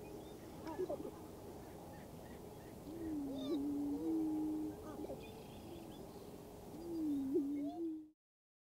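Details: Male greater prairie chickens displaying on a lek shared with a sharp-tailed grouse in western Minnesota on April 11, 2024, giving low hollow moaning booms that hold steady then rise and fall, with faint cackles over constant breezy outdoor hiss.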